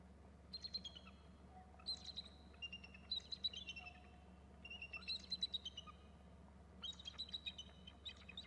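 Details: Two eagles call on landing together on a perch: high, thin chittering calls in bursts of quick staccato notes, about every one to two seconds, over a steady low hum.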